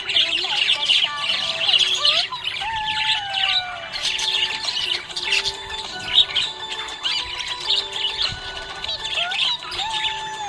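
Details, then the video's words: Budgerigars chattering happily, several birds overlapping in constant bright, warbling twitters and short squawks, while a tuneful melody with held notes runs beneath the flock noise. "Happy budgie chirping sound"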